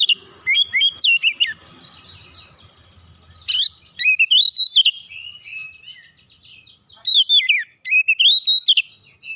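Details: Oriental magpie-robin singing in full voice, beak open, showing off its repertoire to provoke other magpie-robins. Bright whistled phrases swoop and twist high, in rapid bursts of notes separated by short pauses.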